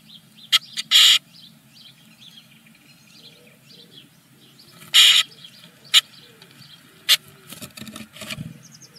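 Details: Eurasian blue tit chicks in a German nest being fed in the morning for the first time; scattered sharp begging bursts and clicks with faint high chirps, then rustling movement near the end.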